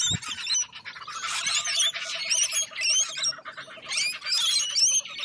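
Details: Noisy lorikeet flock in Australia, harsh high shrieks and twittering layered thickly, over a steady low drone in the background.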